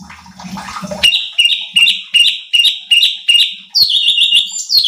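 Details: Cucak cungkok bulbul song recorded to train competition birds: faint low murmuring, then a regular series of loud whistled notes sliding downward, ending in quicker, higher twittering phrases.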